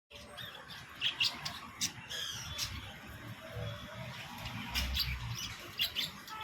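Budgerigars chatter with short, scratchy squawks and bright chirps in quick, irregular bursts.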